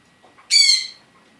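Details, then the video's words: One sharp, piercing squawk from a pet African grey parrot that has just turned one year old, preceded by faint soft sounds in a quiet room. "Talking African Gray Parrot"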